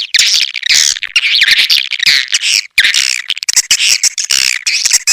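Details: Natural swiftlet calls used as a lure to draw swiftlets in, Elang Borneo style: loud, continuous, raspy twittering, with wavering high notes in overlapping bursts and one brief pause midway.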